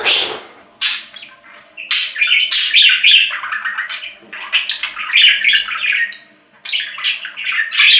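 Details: Budgerigar delivering a loud, lively run of chattering warbles: clicks and harsh notes mixed with squeaky whistled bits, with one brief pause near the end.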